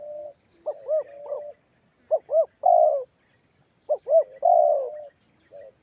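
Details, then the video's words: Spotted dove calling as a lure so other doves sing along: low coo phrases of quick arched double notes ending in a long hoarse, falling coo, repeated twice, over a faint steady high whine. "gunakan suara tekukur ini || di jamin pasti yg di rumah ikutan bunyi"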